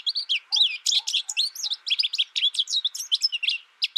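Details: Captive American goldfinch, raised alone in its first year and learning its song from a recording, sings a fast, unbroken run of bright, high twittering notes that sweep and warble, over a faint steady hum.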